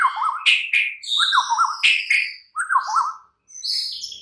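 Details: Night-time lure song of a White-rumped shama, used to make a kept bird reply and sing steadily. Wavering, warbled low phrases come again and again under sharp high notes, with brief pauses between bursts.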